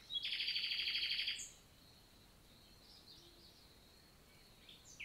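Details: Nightingale singing on a summer morning in the Célé valley, Lot, France: one loud rapid rattling trill of evenly repeated notes, followed by quiet with faint distant chirps.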